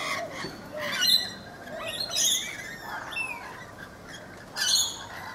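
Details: Rainbow lorikeets feeding in a guava tree in a backyard in Brisbane, Australia: harsh, screechy squawks and shrill chattering bursts, several loud outbursts separated by quieter chatter.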